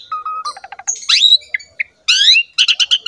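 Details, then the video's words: Asian pied starling lure song in a short burst: a level whistle, a rapid ticking run, harsh rising squeals and a string of buzzy pulses. "MASTERAN DAN PANCINGAN BURUNG JALAK SUREN GACOR JUARA"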